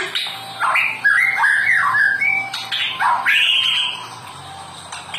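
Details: White-rumped shama, used to coax caged birds into song. Varied short whistled and squeaky notes sweep up and down in quick succession, then fade into quieter background.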